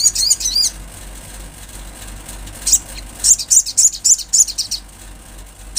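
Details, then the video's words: Olive-backed sunbird singing in vigorous form, a brief high warble followed after a pause by a quick string of sharp, thin chips repeated several times a second, over a faint steady background hum. "Sogon gacor suara Asli Alam"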